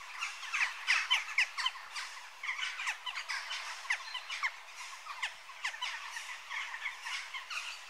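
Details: Western jackdaws calling together, short sharp downslurred chack notes tumbling over one another in an irregular, rapid chatter, about three or four per second, louder at the start and then steady.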